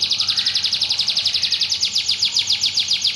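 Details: White canary singing persistently: a fast, even trill of bright, high chirping notes, about three or four per second, running steadily throughout with little else heard.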